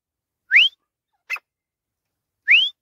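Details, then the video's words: Male grey francolin calling: loud upslurred whistled notes rising sharply, repeated about every two seconds, with a shorter harsher note between them. "Francolin Sound | Male Teetar ki awaz"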